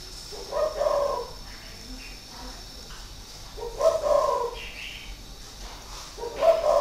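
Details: Caged decoy spotted dove, six years in the cage, Ba Vi, Hanoi, Vietnam, 2019, repeating rich two-part coos about every three seconds, with faint higher chirps in the background.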